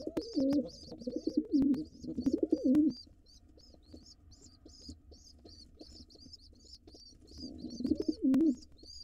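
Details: Wild intruder male pigeon at a nest box, attacking nestlings to take over the box while the parents are away: low rumbling coos in bursts at the start and end, over steady thin high-pitched peeping and background hum.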